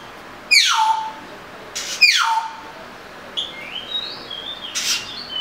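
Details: Two loud sweeping notes falling steeply from high to low open the sequence, followed by softer, higher whistled phrases of an Oriental magpie-robin with small rises and falls.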